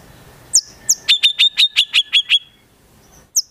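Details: A rapid, evenly spaced burst of about nine sharp, piercing high notes from a white-rumped shama mimicking konin and kinoi birds, framed by single thin, high upslurred notes.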